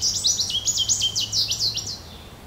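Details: Goldfinch producing a quick series of about eight sliding, twittering notes, each dipping and rising in pitch; faint steady low hum beneath.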